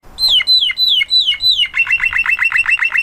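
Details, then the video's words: Blue Spanish Timbrado canary singing: five sweet descending whistled notes, each sliding down, then a fast metallic rattling trill of evenly repeated notes held at one steady pitch. "Blue Spanish Timbrado Canary"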